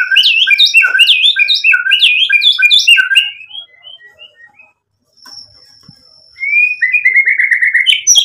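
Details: White-rumped shama in energetic 'gacor' song, rich with 'isian' material: quick, varied, bouncing whistled notes for three seconds, fading to soft notes and a thin steady whistle, then a fast, lower chattering trill.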